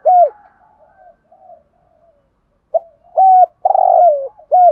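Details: 'Giọng Thổ' spotted dove cooing in 'thúc gù' style as a trapping decoy: one hollow coo, a stretch of soft low murmurs, then a quick note, a flat coo and a long throbbing falling coo.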